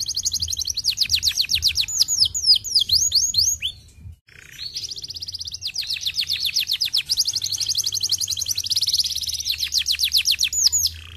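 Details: Canary singing, used to encourage canaries to sing more: rapid high rolling trills and swooping whistled notes, a brief pause near four seconds, then long fast repeated trills to the end over a low background hum.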